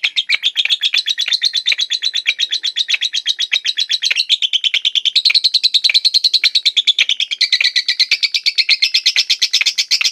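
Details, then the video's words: Batman-colour lovebird singing a long-duration ngekek: a rapid, unbroken chatter of sharp high chips, about 100 per minute, with the pitch shifting up and down in bands across ten seconds. "Love bird betmen ngekek durasi"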